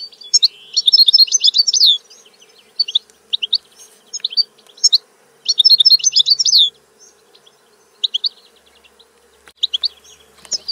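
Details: European goldfinch singing in short bursts of rapid tinkling twitters, roughly every few seconds, separated by isolated sharp chirps and brief silences; faint steady hum.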